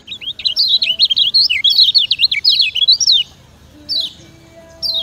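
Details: Lemon-bellied white-eye (Zosterops chloris) song in full voice: a fast, high, tumbling twitter of sweet rising and falling notes for about three seconds, then two brief chirped phrases.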